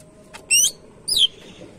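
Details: Greater green leafbird, a caged bird in full song used to spur other birds on: two short bright whistled notes, the first rising and wavering, the second falling, against quiet background.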